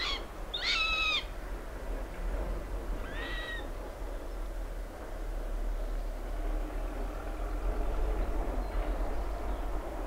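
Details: Common buzzard bringing a lizard to its chick: two loud mewing calls, slightly downslurred with strong harmonics, one at the start and a shorter one near three seconds, then only a low steady rumble of background noise.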